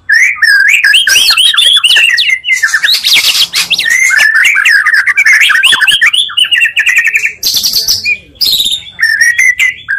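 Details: Combined song of two strong murai, made to raise the emotion of listening murai: loud, continuous medley of sweet whistles, rapid trills and scratchy buzzes, briefly broken by short gaps near the end.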